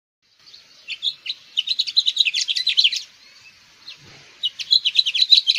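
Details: Two separate bursts of House Finch song, each a dense, fast chatter of sharp, high twittering notes, split by a short gap with a faint low thump.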